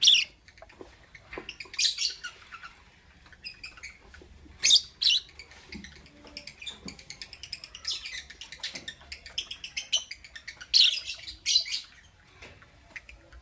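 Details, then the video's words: Sparse lovebird chirps in the morning: a few loud, shrill squeaks at intervals between softer, faint twittering in a quiet background. "Lovebirds Chirping Sounds"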